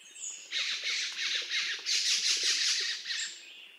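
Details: Black-throated magpie-jay giving a loud run of harsh, scratchy squawks, about three per second, in two bursts with a short gap between, with thin high notes from other birds at the start and end.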